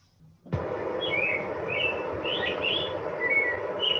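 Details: An American Robin recorded by an autonomous recording unit in Canada's Western Arctic parks, isolated by software from a larger multi-bird recording, sings short whistled phrases rising and falling in pitch, about two a second at a steady pace, over a constant low hum.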